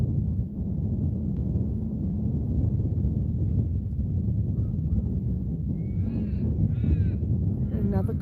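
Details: A crow gives a few short, arching caws near the end, on a foggy, windy homestead up in the clouds at 1°C, against a constant low wind rumble and a man's voice.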